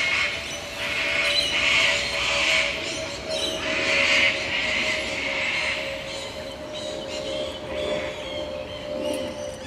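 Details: Sulphur-crested Cockatoos in Lane Cove National Park, Sydney, Australia, give harsh, grating screeches in uneven bursts every second or two, over a steady low mechanical hum.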